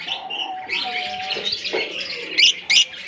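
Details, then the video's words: Short burst from an African lovebird colony: busy high chattering, then two loud piercing shrieks close together near the end, over a low steady hum. "African lovebirds colony"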